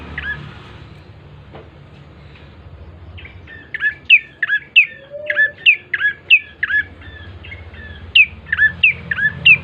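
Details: Bar-winged prinia singing, used to lure birds into song: after a quiet start, a lively series of sharp, dropping chirps repeated roughly every half second, with a low hum throughout.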